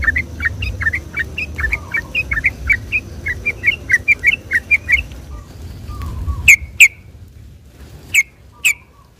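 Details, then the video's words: Sooty-headed bulbul in lively Sunday-morning song, used to lure and excite others of its kind: quick even series of short hooked whistled notes, then quieter, broken by a few loud sharp chirps spaced about a second apart. "suara trucuk gacor ropel di minggu pagi ini paling di cari kicau mania buat pancingan trucuk bahan"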